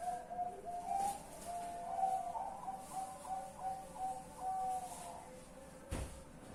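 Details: Zebra dove heard at night on 10 March 2021, giving soft, even cooing notes in a loose repeated series over a hiss, then a brief knock near the end.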